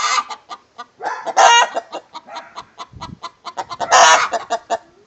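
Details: Rooster singing the egg song alongside a hen: a run of short, repeated clucks building into loud drawn-out squawking cackles, two peaks about two and a half seconds apart.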